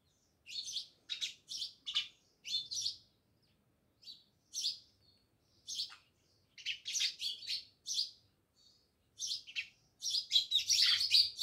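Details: Many sparrows chirping near a village house at Jamnagar: rapid series of sharp tweets in bursts, pausing briefly, ending in a dense flurry of overlapping calls.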